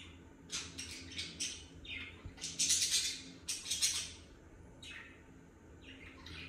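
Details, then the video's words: A baby cockatiel gives bursts of harsh, raspy chirps and squawks in quick runs, repeated through the clip, with a quiet room hum underneath. "cocketiel bird chirping"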